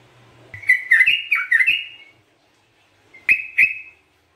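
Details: Gacor sooty-headed bulbul, recorded as a lure and for therapy: a short phrase of rising and falling whistles, a pause, then two sharp whistled notes.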